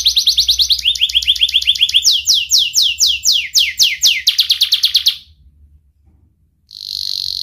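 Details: Young canary singing sharply as a teaching lure for young canaries; fast chirping trill, then broad downward-sweeping whistles, another run of quick chips, silence, and a high steady trill.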